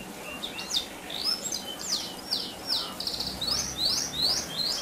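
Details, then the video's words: Rolling canary song used as a lure to set other canaries singing: a run of high, quick, down-sweeping whistled phrases repeated in steady succession, fairly quiet against light background noise. "Pancingan Kenari Gacor Dor Ngeroll"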